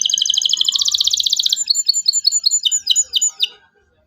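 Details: Local canary singing energetically with 'cuit cuit' phrases, used as a lure to teach young canaries to sing: a fast, dense buzzy trill of high notes, then a series of separate sharp descending chirps that fade out.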